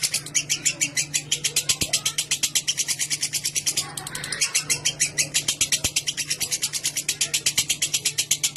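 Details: Lovebird delivering a sustained chattering song intended to provoke long chattering from other lovebirds; dense high staccato notes about twice per second in pulses, nearly unbroken, over a low constant hum.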